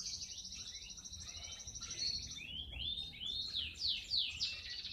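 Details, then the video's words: Male canary singing to teach young birds and stir females, heard more distantly: a high buzzy trill, then a string of rising whistled slurs, over a noisy low background. "اقوى تغريد ذكر كناري حامي نار 🔥 ولا اروع للتسميع صغار الكناري وتهيج الاناث"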